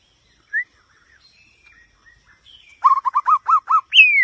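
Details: White-rumped shama song: faint scattered notes, then a quick series of six or seven loud looping whistles ending on a bright falling note.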